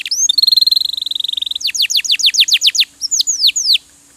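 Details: Canary song recorded to train other cage birds; fast even buzzy trill, then a run of loud downslurred notes and a few separate swoops before ending.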